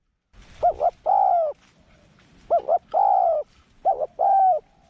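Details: Spotted dove, a young bird on its first outing in the forest during training, gives deep cooing phrases: two quick short coos, then a longer drawn-out coo, repeated three times with quiet gaps.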